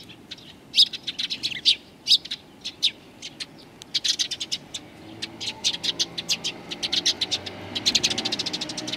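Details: Sparrows welcoming the recordist on 7 April 2020, one of them with an injured leg; chirping grows denser and faster, ending in a rapid crowded chatter of high notes.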